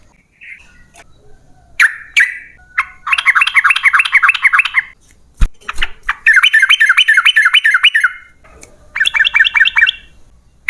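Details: Yellow-vented bulbul in long rapid 'ropel panjang' song played to make other bulbuls sing: three fast bubbling runs of looping notes, separated by a few sharp clicks and single chirps.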